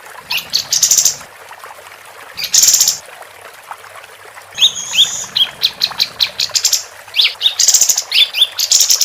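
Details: A female capped white-eye sings in a lively way, as a tutor recording for all kinds of competition birds. Bright high chirping bursts, short rising whistles and rapid trills repeat in quick succession with brief gaps.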